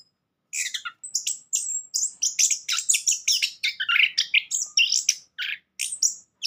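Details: {'caption': 'Orange-headed thrush song used as a lure to get a silent bird singing: a fast, continuous run of short, high, varied chirps and whistled phrases, densely packed with brief gaps.'}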